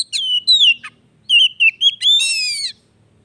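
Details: Oriental magpie-robin (kacer) song for prompting a bird that has stopped singing; falling whistled slurs, a few sharp clicks, then wavering notes ending in a buzzy, rasping burst.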